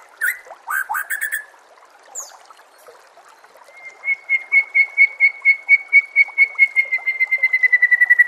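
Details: Master song of white-rumped shama for training caged birds: a few rough notes, then a long rapid series of steady whistled pulses speeding up toward the end.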